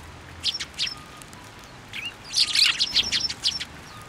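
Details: At a shrine plum tree in Japan in February, tree sparrows flock in: scattered high chirps, then a crowded cluster of overlapping tweets around two and a half seconds, tapering off.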